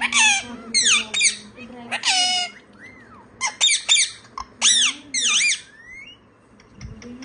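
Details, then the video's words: Pet parrot that starts talking when it sees a phone, giving bursts of harsh squawks and rising and falling whistled notes indoors, with a faint low hum in the room. "phone dekhte hi bolna shuru kr deta hai"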